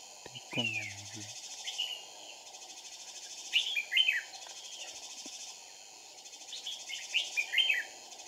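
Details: Red-whiskered bulbul song during trapping with two decoy birds, dated 2/4/2019: bright chattering whistled phrases near 1.8, 3.5–4 and 7–7.7 seconds. A brief low harmonic sound comes early, over a steady high background hiss.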